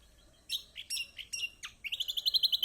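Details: Loud, clear kecial kombok phrases, meant to prompt a quiet bird to answer: slurred high whistles, a steeply falling note, then a rapid, evenly spaced trill of about ten bright, high notes.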